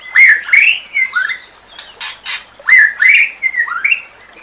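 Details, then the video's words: White-rumped shama (murai batu) song used to train other shamas: loud rich whistles swooping up and down, broken by two harsh, raspy noisy notes, then the whistled phrases return. "Masteran Murai Batu"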